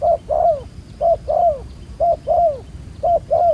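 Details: Spotted dove, a wild-caught bird with a black-spotted collar, cooing at a ground decoy trapping setup. Low hollow coos come in pairs, a short note then a longer down-slurred one, repeated about once a second. Faint background hiss.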